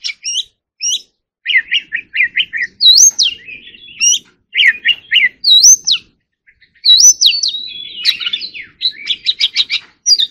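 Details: Oriental magpie-robin singing 'hót líu' fighting song in separated phrases: paired high notes, runs of quick repeated chips, swooping whistled hooks, and a closing fast rattle of chirps.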